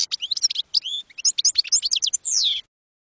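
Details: European goldfinch performing campero song, a 2022/2023 tutoring recording for young birds; quick liquid chirps and rising slurred notes run together, ending in a sustained buzzy note before silence.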